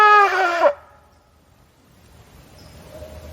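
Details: In Adirondack woods around 2:15, a barred owl (Strix varia) gives a single loud, nasal, wavering hoot under a second long, ending in a downward slur, then quiet woodland hush with faint low rumbling.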